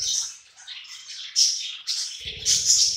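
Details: Hungry budgies eating side by side give continuous high, scratchy warbling chirps, with a low rumbling noise entering in the last second.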